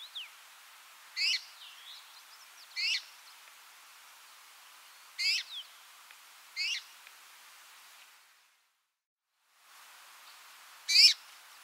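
Red-mantled Rosefinch giving short, sharp, high-pitched call notes, singly or in quick pairs, every one to three seconds over a faint background hiss.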